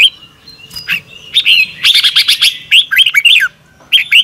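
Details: Red-whiskered bulbul singing in the morning, used for bird training, "double twist" voice: a rapid run of clear warbled, looping whistles, a burst of tight phrases, then a pause before two more.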